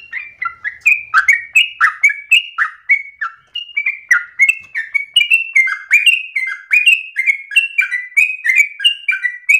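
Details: Energetic ropel-style song of a yellow-vented bulbul, with rapid, unbroken chattering phrases of slurred, bubbly notes that alternate up and down in pitch, several each second.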